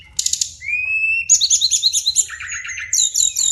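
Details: Rolling song of a brown-chested jungle flycatcher: a buzzy opening, a long rising pure whistle, then quick repeated high trilled notes that step downward before sweet whistles close the phrase, over a soft low hum.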